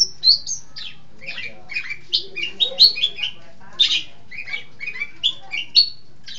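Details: Long-tailed shrike from East Java, a lively and versatile singer, giving a varied, chattering song of harsh squawks, short whistled notes and buzzy phrases in quick irregular bursts, with a low background hum.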